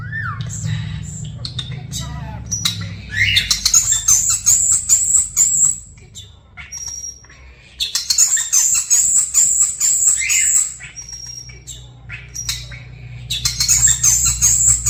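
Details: Two hand-raised European starlings about one year old, kept as pets indoors after falling from their nest, talking and imitating sound effects: bursts of clicks, rattles and squeaky chatter with long high buzzy notes, pausing briefly twice.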